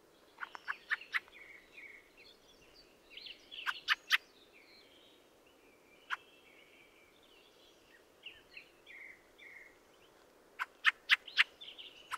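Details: Fieldfare (Turdus pilaris) song: scattered squeaky, chattering warbled phrases with sharp click-like notes in bursts near the start, around four seconds and again at the end, over a steady low background hiss.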